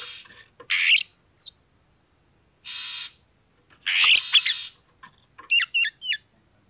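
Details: Oriental magpie-robin (kacer) singing a fighting-style provocation song meant to rouse a rival to fight, with harsh, broad rasping bursts separated by pauses, then a quick run of short, sharply slurred whistled notes near the end.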